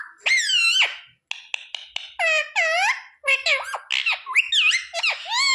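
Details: Indoor parrot speaking learned words such as sita-ram, jay shree ram and mummy papa: a rising squawky syllable, quick clicks, then a busy tumble of warbled, speech-like harmonic phrases.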